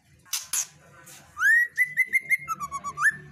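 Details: Female white-rumped shama singing: two sharp clicks, then a long whistled note that rises and holds, followed by a quick series of about ten short, clear whistled notes that step slightly lower toward the end.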